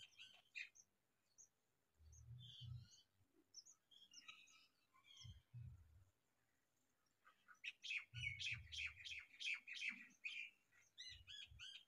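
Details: Male and female house sparrows with their chicks; sparse chirps early, then a lively stretch of rapid repeated high chirping, with intermittent low thumps.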